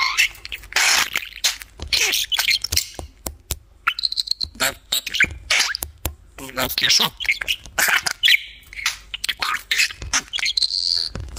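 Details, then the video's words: Talking pet budgerigar spending time on top of its cage, delivering a long, dense stream of scratchy, speech-like warbles mixed with clicks and thin high whistles, almost continuous throughout. "Говорящий Попугай"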